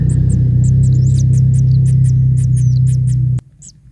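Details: Featherless kingfisher nestling being fed fish: loud dense stream of high chips, some slurred downward, about four per second, cutting off abruptly near the end over a low hum.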